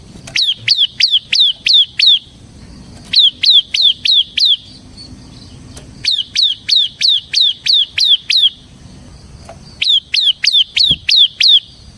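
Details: Ciblek (bar-winged prinia) in semi style, used as a lure and master song for training ciblek; rapid high descending chip notes in bursts of six to eight, about three per second, with short pauses between bursts.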